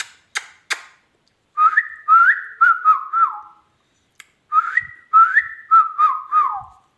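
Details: Talking ringneck parrot (rose-ringed parakeet) gives two runs of quick whistled syllables, each run stepping up and then down in short tonal notes. A few sharp clicks come first, and a brief pause separates the runs.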